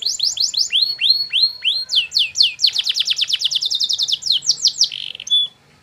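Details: Canary training song so that other canaries will answer: steady series of swooping downward whistles that speed up into a rapid rolling trill, ending with a buzzy note and silence.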